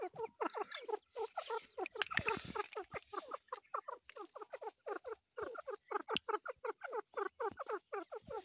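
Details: Chick of the grey partridge uttering fast, repeated, down-slurred notes, interrupted by a brief burst of broad noise near the start, then resuming steadily.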